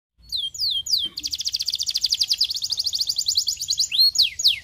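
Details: Canary song used to stimulate another canary to sing: a few falling slurred whistles open, then a long, fast rolling trill of rapidly repeated high notes carries to the end, with sweeping notes at the close.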